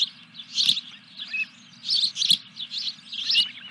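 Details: Nesting osprey calling during a fish delivery at Dunrovin Ranch, 14 July 2021: a few clusters of sharp high chirps, separated by short quiet gaps, over a steady low background hum.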